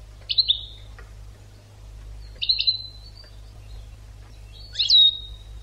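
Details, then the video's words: European goldfinch on an educational recording for training birds: three short, high, bright chirps with downward-trailing tails, spaced about two seconds apart over a low steady hum. "CD ekpedeutiko.karderina (educational goldfinch)"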